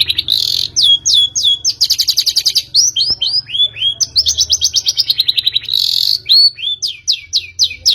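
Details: Long-tailed shrike song used as a lure to make a bird sing: fast varied high chirps, rapid trilled runs and repeated downslurred whistles in quick succession, with a low hum underneath.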